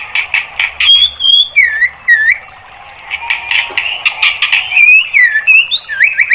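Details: Training material for caged white-rumped shamas: a steady high whistle, looping downward slurs and rasping buzzy notes, a short pause, then a mix of scratchy bursts and rising whistled phrases.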